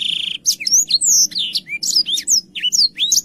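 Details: A short black-throated canary phrase opening with a fast buzzy trill, then separate clear downslurred and upslurred whistles in quick succession, soft hum beneath.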